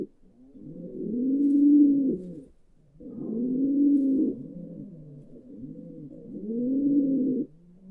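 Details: Pigeon repeating deep, throaty coos, three swelling arched phrases about two and a half seconds apart, each building to a fuller middle and fading.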